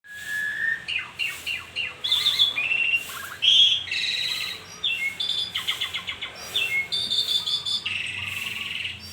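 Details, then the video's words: Asian pied starling singing in the morning: a long jumble of whistled notes, chattering bursts and clicky rattles, shifting pitch quickly with few pauses. "Jalak Suren Gacor Pagi Hari"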